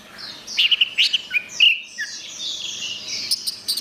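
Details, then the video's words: Orange-headed thrush song, meant as therapy for a bird that has stopped singing: a quick run of bright, high whistled and chirping notes in the first half, then softer overlapping warbling trailing off. "Suara Anis Merah"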